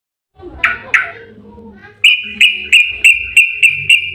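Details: Yellow-vented bulbul, used as a lure to stir other bulbuls into song: two harsh rasping notes, a pause, then a run of about seven bright, clipped chirps given in quick succession over two seconds.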